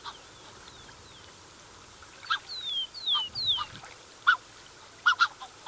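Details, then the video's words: Black-necked swan pair with cygnets recorded close up: after two seconds of quiet, a few short nasal honking notes mixed with thin, high, downslurred whistles, several separate bursts toward the end. "Black-Necked Swan. MCU Calls From Pair With Cygnets."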